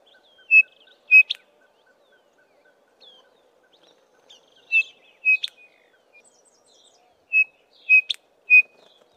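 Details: Chinspot Batises foraging in a small group in tall Acacia trees, the male giving a loud three-note descending call; clear whistled notes in spaced groups of three, separated by pauses of a few seconds, with faint ticking between.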